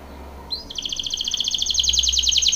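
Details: Belgian canary training song: a single upslurred note followed by a very fast, even, pulsing trill that grows steadily louder.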